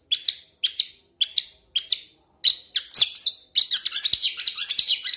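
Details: Long-tailed shrike starting with spaced scratchy chirps about twice a second, then breaking into a dense, jumbled rush of harsh, chattering notes, close and clear.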